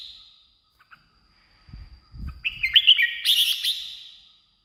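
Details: Red-whiskered bulbul, song played to lure or excite birds: a thin steady whistle at first, a few soft thuds, then one loud rollicking phrase of quick liquid whistled notes.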